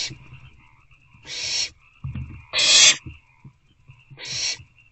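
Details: Owlets, three together in an owl box, 22 April 2024 at about 8:35 pm while food arrives: three harsh hissing rasps spaced about 1.5 seconds apart, with soft knocks and scuffling in the box between them.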